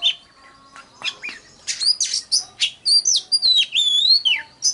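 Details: Oriental magpie-robin song used to lure wild birds: opens with scattered chips, then rapid bursts of bright notes and a long, clear descending whistle near the end.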